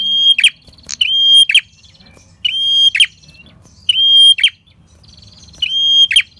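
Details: A prinia (red-headed prenjak) repeats a short phrase about every 1.5 seconds: a sharp chip into a steady, high, drawn-out whistle with dry clicks. Nothing else is heard.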